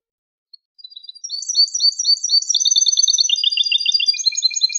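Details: Song of a European goldfinch, used as tutor material for young birds: after a faint opening note, a dense, fast stream of high twittering and trilled phrases, shifting pitch several times and building in loudness, with nothing else heard.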